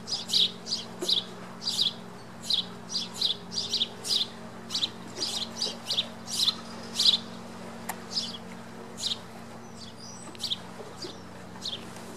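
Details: Nestling sparrows inside a wooden building's knothole on Whidbey Island, Washington, in May, begging as their mother feeds them: a long run of high squeaky chirps roughly twice a second, fading to scattered thin notes, over a low electrical hum.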